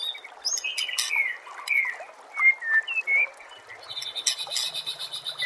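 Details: White-rumped shama song used to train birds for contests: a varied run of clear whistled notes, some sliding and slurred, mixed with faint high chips and scratchy overtones.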